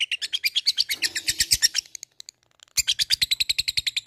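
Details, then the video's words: Labet calling out to a rival, a fighter bird giving rapid 'ngetik ngekek' chatter: two loud streams of fast, high, clicking notes separated by a short quiet gap. "LABET memanggil lawan | ngetik ngekek fighter GACOR"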